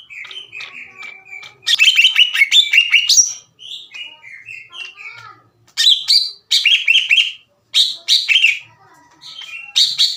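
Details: Aggressive greater green leafbird with a loud, clear voice belts out rough fight-inviting phrases toward other leafbirds. Soft twittering alternates with intense bursts of shrill, descending whistles separated by short silences.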